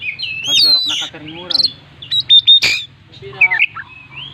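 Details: Chatty Oriental magpie-robin with imitated fill-ins, used as a lure: loud swooping whistles and harsh buzzy harmonic notes, then three clear even whistled notes, a sharp crack and a scratchy descending phrase over a low hum.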